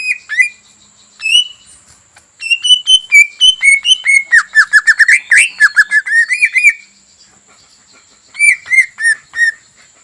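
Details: Greater green leafbird singing to provoke a rival into agitated song: a few opening whistles, then a long, rich run of varied whistled and chattering notes lasting about four seconds, a short silence, and a fresh whistled phrase.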